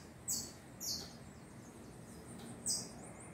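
A young tanager gives three thin, very high, downslurred squeaks spaced unevenly over about three seconds, against a soft background hiss.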